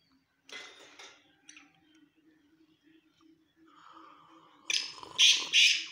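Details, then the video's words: Black francolin (black teetar, also called chinga batair) calling: a harsh note near the start, then a loud burst of three rasping, grating notes close together near the end, over a faint low hum. "black teetar or chinga batair ki awaz/Teetar ki awaz"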